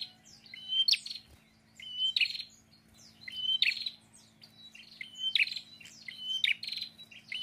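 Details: A prinia in full, active song gives loud, chirpy phrases: a sharp rising note and a buzzy rattle, repeated about every second and a half over a steady low hum.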